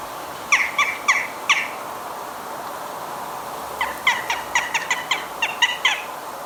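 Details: Western Jackdaw in a Hampshire, UK garden, 2020, giving its main call, which sounds petulant, as if upset: short, sharp, slightly squeaky 'chak' calls, four in quick succession, a pause, then a faster run of about nine, over quiet background.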